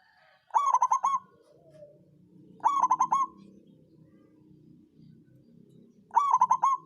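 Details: Songgo ratu local zebra dove, used to excite rivals and get silent birds singing: three loud phrases of fast stuttering coos, spaced roughly two to three and a half seconds apart, over a faint low rumble.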